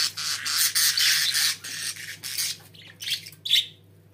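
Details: Several pet budgerigars pour out loud, continuous scratchy warbling and squawking, then break into short separate chirps before falling quiet.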